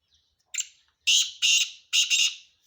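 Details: Black francolin male calling: a short scratchy lead-in note, then three loud, rasping, grating bursts about half a second apart, the last one doubled. Little background noise.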